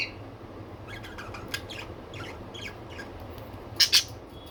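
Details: Pet budgies, kept as pet birds, giving a burst of short, scratchy high chirps and squawks, loosely repeated across a few seconds, ending in two louder harsh notes, over a steady low background hum.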